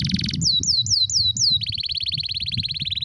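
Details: Canary singing a rare, strong song meant for training: short high trill, five sliding downward whistles, then a long rapid chattering roll, with low background rumble.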